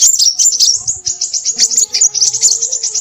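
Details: Crimson sunbird singing excitedly, a high, rapid, jumbled twittering that barely pauses, above soft low humming tones in the background.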